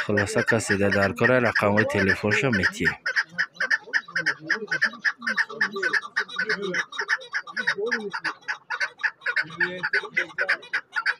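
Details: Chukar partridges at a Saturday partridge market in the Zarafshon neighbourhood of Dushanbe, 10 February 2024: after a few seconds of loud talk, many short clucking notes repeat rapidly over a murmuring crowd.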